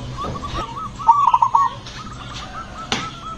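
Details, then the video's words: Zebra dove with a loud, booming yet soft voice, its rhythm used to provoke other zebra doves into singing. One bright phrase of quick staccato coos mid-clip, with fainter cooing notes from other doves around it. "perkutut ini suaranya bikin GREGETAN memancing bunyi perkutut lain"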